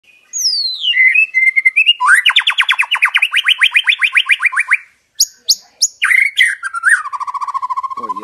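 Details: Bird singing a varied, loud song: sliding whistles, then a long rapid series of rising buzzy trill notes, sharp high chips, and a closing run of lower quick notes.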